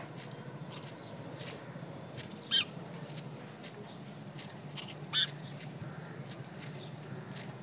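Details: Nestlings give faint, very high chirps at uneven intervals, with a few louder peeping notes standing out above a constant low rumble.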